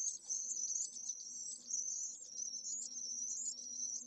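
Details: Lone pallid swift chick in its nest in urban Jerez de la Frontera, Spain, on 25 August at solar midday, temperatures over 44°C. Very high, quavering buzzy trills run steadily, rising and falling slightly in pitch.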